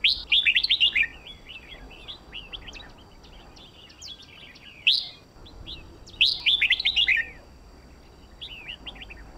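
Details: Red-whiskered bulbul song used to train contest birds: quick runs of sharp, bubbling whistled phrases, a loud burst at the start and another near six seconds, with softer scattered notes between.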